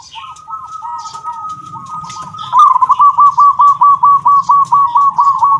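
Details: Local zebra dove singing in the 'kung' voice style, kept as a tutor bird for training others: soft purring coos over a steady whistle-like tone, then a loud run of quick, evenly repeated rolling coo notes, about two per second.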